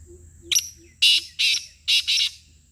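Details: Loud grating call of a black francolin: a brief clipped note, then two doubled harsh rasps, the whole phrase crisp and rhythmic, with faint soft piping from another bird at the start.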